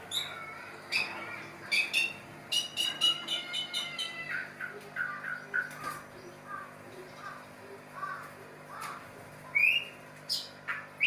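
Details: White-rumped shama during mating, giving scattered whistled notes and short rising slurs between sharp clicks and broadband chips, with frequent pauses and a steady low hum underneath.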